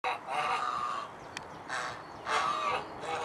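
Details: Domestic swan goose, Anser cygnoides domestica, recorded in Alkmaar, Holland: two long, loud nasal honks, each held about three quarters of a second, with a brief click between them.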